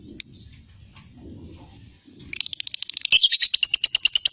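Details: Lovebird ngekek trill, used to provoke rival fighter birds: after a quiet start with a lone sharp note and faint low background noise, a rapid shrill chatter begins and grows into evenly spaced loud pulses.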